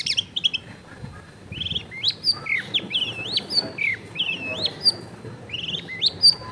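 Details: Long-tailed shrike recorded at a home in a crowded neighbourhood, used to coax a reluctant bird into singing: a rapid run of varied high whistles, slurred upward sweeps and short warbled phrases, with faint background hum.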